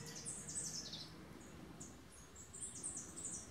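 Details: Male Tennessee warbler singing from low brush on a farm in Boquete, Panama, on 11 March 2018, among mixed migrant flocks: faint, very high thin notes in quick descending runs, repeated in short bursts over a soft background hiss.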